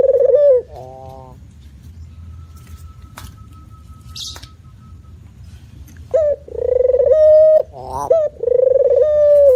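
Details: Spotted dove coos open and close the recording, with a long quiet stretch between them. The phrases combine short clipped coos, buzzy wavering notes and long, low, pulsing coos.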